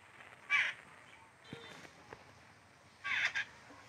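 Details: A chick being fed by its mother gives two short, harsh, raspy calls about two and a half seconds apart, with faint clicks between them and quiet background hiss.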